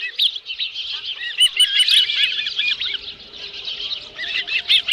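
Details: Osprey calls from the Dunrovin Ranch nest, 11 July 2018, with a live fish: busy high chirps early and midway, fading somewhat, then a fresh burst of sharp whistles at the end.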